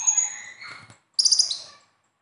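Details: Besetan-style konin sunbird song for coaxing a silent caged bird: a high thin whistle with softer chatter, a brief pause, then a rapid burst of sharp, very high trilled chips.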